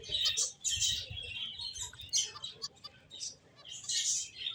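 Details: Finches chirping in a busy chorus, several birds giving high, bright, rapid overlapping tweets and trills in dense bursts with brief quieter gaps.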